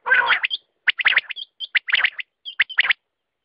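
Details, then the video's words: Quail call: opens with a loud, buzzy note, then groups of clipped notes interspersed with small whistled flicks. "Batair ka awaz"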